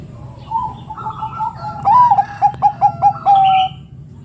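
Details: Zebra dove, Bangkok type, a bird that provokes rivals to sing: mellow rising opener, quick pulsed row of short coos, and a long flat ending note, other doves faintly cooing around it.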